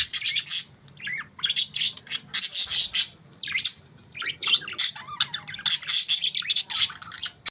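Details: Loud morning chirping from budgies: rapid, overlapping high chirps and scratchy warbles in close bursts, nearly continuous throughout, over a faint low hum.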